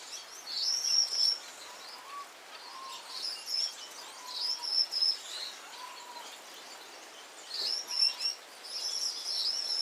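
Gouldian finch giving thin, very high chirps and short wavering trills in irregular bursts, with a few soft lower notes between phrases.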